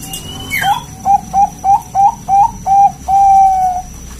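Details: Wild local zebra dove song used to prompt other zebra doves to call: about seven short, slightly upslurred cooing notes at a steady pace, ending in one long, level, mellow coo.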